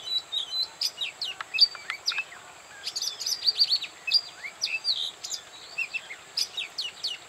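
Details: Song of an Oriental magpie-robin recorded at Bada, North 24 Parganas: a rich, continuous stream of sweet whistles, sharp chips and slurred notes, changing phrase to phrase, with a constant faint high-pitched hum behind.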